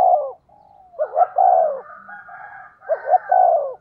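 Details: Spotted dove used as a decoy for wild birds, cooing at speed: two full phrases of stuttered notes and a drawn-out falling coo, with a softer, steadier cooing voice overlapping between them.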